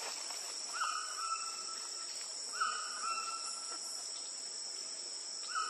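Yellow-billed jacamar giving drawn-out, level whistled notes, each with a sharp start, spaced a few seconds apart, over a steady high insect drone.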